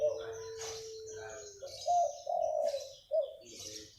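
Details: Zebra dove of a local wild type performing its morning manggung coo: a long, steady, slightly falling note, then a run of loud rolling trilled coos in short bursts. Scattered high bird chirps in the background.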